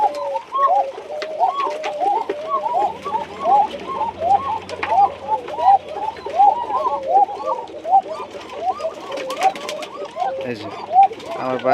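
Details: A group of original Tiger Bashiraj pigeons at a loft in Bagmara, Rajshahi, coo together in soft, rolling, overlapping phrases, repeated steadily.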